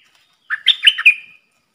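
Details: Thai decoy red-whiskered bulbul gives its song, played for young birds to copy and to attract wild birds: a short burst of chirpy, warbling notes that ends in a drawn-out whistled tail. No other sounds.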